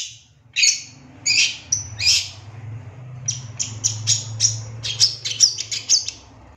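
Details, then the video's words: Long-tailed shrike, a raw 'bahan' lure bird for making shrikes answer and sing. It gives sharp, high chips and squeaks, first spaced, then a quick uneven series, over a steady low rumble. "Langsung Nyaut Pancingan Suara Pentet Bahan Agar Cepat Bunyi & Emosi"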